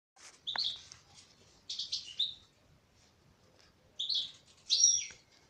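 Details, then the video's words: Female European goldfinch singing: short bursts of bright, liquid twittering notes, with a sharp upward-sweeping chirp near the start, then quiet pauses between phrases. "تغريد انثى حسون"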